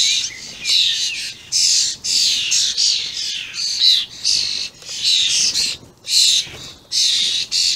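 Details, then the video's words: Very noisy juvenile and adult common starlings on 28 May 2016: a rapid series of harsh, scratchy squawks and hisses, with a few whistled notes between them. "Vocal juvenile starlings"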